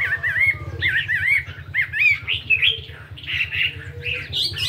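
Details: Chinese hwamei fighting bird weighing 72 grams, singing in the morning for voice practice and switching phrases: loud looping whistled notes and slurred warbles that climb higher toward the end, over a steady low electrical hum.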